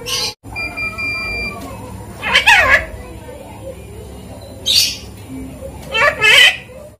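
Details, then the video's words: Javan myna imitating human speech: three harsh, rasping, word-like bursts spaced a couple of seconds apart, over a steady low hum with a faint thin whistle early on. "burung jalak kebo pandai menirukan suara manusia"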